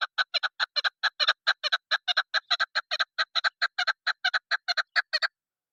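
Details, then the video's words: Female chukar partridge giving a call used for hunting: a rapid run of short, harsh, clucking notes, about two per second. The notes are steady and evenly loud for over five seconds, then stop. No other sounds are heard. "Madi Chakor Awaz Female Hunter Soundصدای شکاری مادی چکور کبک"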